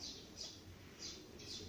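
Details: Two-week-old Reeves's pheasant chicks, four remaining from six, kept indoors, give thin, high peeps, four in under two seconds at a steady pace, over a low indoor hum.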